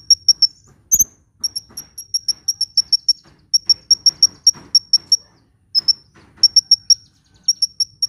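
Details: Hummingbird singing energetically, used to lure birds and spur quiet ones into song: high, clipped chirps in quick bursts separated by short gaps, with one sharp click early on.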